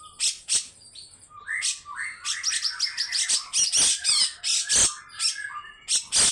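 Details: Grey-cheeked bulbul with rough, extended 'besetan' calling: scratchy bursts mixed with short rising whistles, building into a dense harsh chatter.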